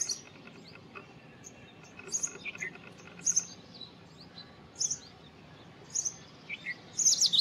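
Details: Indian robin singing: short, high, bright chirped phrases repeated roughly every second, some sliding downward, over a quiet, steady background hiss.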